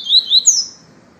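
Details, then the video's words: Short phrase of pure "viviti" song from a yellow-bellied seedeater: two high, downslurred whistles followed by a higher, longer sweeping note, then quiet. "papacapim PEITO AMARELO canto viviti PURO"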